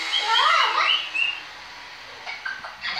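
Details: Blue-fronted amazon parrot, a trained talking pet bird kept on a stand, giving a quick run of bright, wavering whistled syllables in the first second, then a short higher note and quieter scattered sounds.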